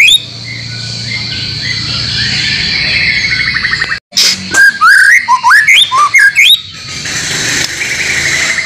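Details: White-rumped shama master song used to coax caged birds into singing, with added phrases from other species. After hissing background, a sudden burst of rapid swooping whistles and chips lasts about two and a half seconds before fading.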